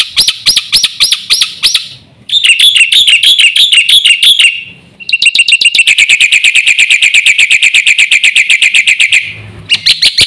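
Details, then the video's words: Black-winged myna, a champion singer, pouring out very loud, piercing repeated notes: fast ringing pulses, a wavering warbled stretch, then a long machine-gun series of shrill chips, with brief gaps between phrases. "BURUNG JALAK PUTIH GACOR FULL ISIAN JUARA"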